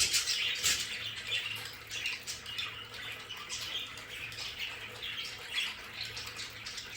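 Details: Several pet budgerigars in their play area at home, chattering in a dense, uneven stream of short bright chirps and squeaks. A soft, steady hiss runs underneath.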